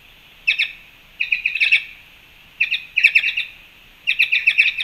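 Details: Black-chested jays at a fruit feeder in Panama on 2 March 2021, giving bursts of short, ringing clipped notes in quick clusters of two to six, about every second, against a quiet background.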